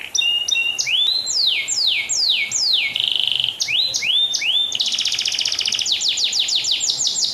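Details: Canary singing loudly for use as a training recording: rapid descending whistled sweeps, a harsh buzzy trill near the middle, then a quick run of repeated sweeping notes, continuous and varied, clean background.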